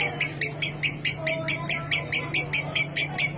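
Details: Lovebird ngekek chatter, a clear song used to set other lovebirds off: sharp buzzy notes repeated about four times a second in an even, steady rhythm over a low background hum.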